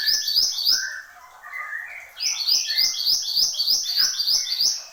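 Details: Gacor song of a Horsfield's babbler: quick runs of high, stuttering notes, a stretch of lower warbled whistles, then a long steady series of rapid bright notes lasting nearly three seconds.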